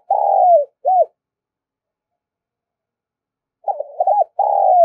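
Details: Spotted dove cooing, used as a lure to rouse decoy birds: a long descending coo and short arched note, a pause of over two seconds, then a new phrase of stuttered hoots leading into another drawn-out coo.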